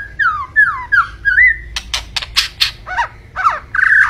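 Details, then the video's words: White-rumped shama song opens with a string of descending slurred whistles, then turns to harsh, raspy bursts and sharp clicks, ending in a bright buzzy trill. "Kicau Burung Murai Batu Gacor"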